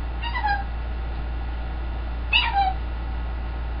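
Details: Green-winged macaw, a household pet, uttering two brief harmonic calls about two seconds apart, each falling in pitch at its close, over a quiet room with a faint low hum.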